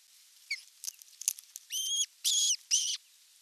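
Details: Evening feeding at an osprey nest, 30 June 2022, nest camera: after faint clicks and rustles, three loud, drawn-out whistled notes follow one another rapidly, each slightly bending in pitch.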